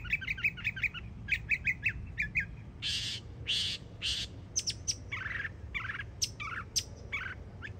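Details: Florida yearling mockingbird song: quick repeated chips, then broad harsh rasping notes, followed by scattered sharp whistles and buzzy fragments, with steady low background rumble throughout.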